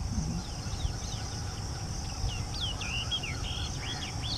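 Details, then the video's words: Yellow-eyed babbler at T K Falls, dated 030720, giving faint, quick whistled notes that slur up and down in loose runs, over a steady low rumble of wind or handling noise. "Yellow-eyed Babbler calling"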